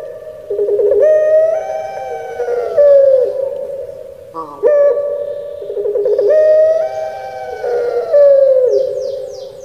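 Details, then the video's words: Two full cooing phrases from a caged Indonesian puter pelung Barbary dove, 'menangis' voice style. Each phrase has a sharp opening note, a bubbling trill, a long rich sustained tone and a drawn-out downward glide. "𝙋𝙪𝙩𝙚𝙧 𝙋𝙚𝙡𝙪𝙣𝙜 𝙎𝙪𝙖𝙧𝙖 𝙈𝙀𝙉𝘼𝙉𝙂𝙄𝙎"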